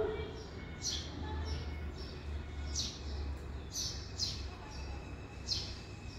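A young sparrow gives sharp, high, slightly falling chirps, repeated about once a second, over a steady low rumble of background noise.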